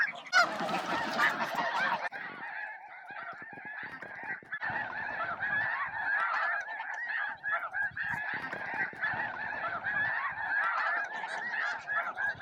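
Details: Thousands of snow geese at Bosque del Apache near midday, crowding and facing off with other geese while feeding; a continuous dense wall of honking, with one sharp louder burst at the start.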